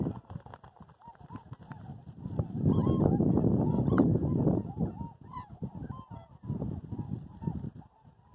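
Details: A flock of trumpeter swans lifting off at Columbia White Tail Deer National Wildlife Refuge near Skamokawa, Washington, 29 January 2022; rapid overlapping bugling honks, about three per second, over a loud swell of wingbeats and water rush peaking mid-recording.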